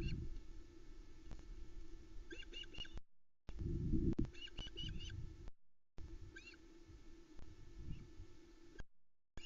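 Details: At a Loch Arkaig nest around 22:41 on 8 July 2020, a female osprey screeches as the male drops off a small trout for the gathered chicks; repeated high chirping bursts, one loud low thump midway, continuous background hum.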